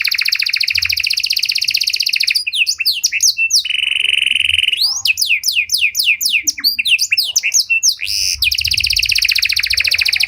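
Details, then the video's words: Panda canary singing a cengkok mewah lure to prompt other canaries to sing and learn: a long dense high trill, quick twisting whistles, a steady buzzy roll, a run of downslurs, and another extended trill. "Pancingan Suara Burung Kenari Panda Cengkok Mewah! Ampuh Buat Memancing Maupun Melatih Kenari Lain"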